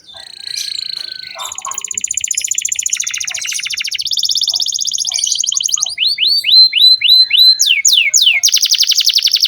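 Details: Energetic canary singing to coax young birds into song: sustained high rattling trills shifting in pitch, followed by a rhythmic series of sharp rising sweeps about five per second.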